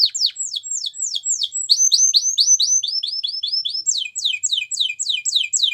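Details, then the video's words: Belgian canary singing a training song: continuous rapid series of sharply down-slurred notes, shifting in speed and pitch, repeated several times a second without pause, clean background. "Canary Training Song Video | Belgian Canary Singing"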